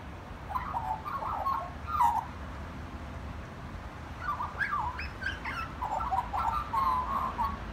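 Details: Magpie singing in two bursts of warbling, fluting notes, mixed with quick upward slurs and brief high accents, separated by a quiet gap of about two seconds.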